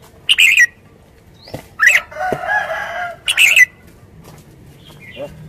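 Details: Red-whiskered bulbul singing short, lilting whistled phrases, interrupted by a harsh, drawn-out crowing sound from another bird; faint chirps near the end.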